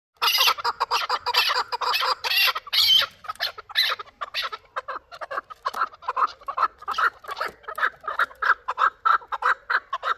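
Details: Chukar partridge from Qavoq, Shurobod, a young bird hatched the previous year, calling a dense run of harsh clucking notes, loud and rapid, then continuing in a steadier spaced series.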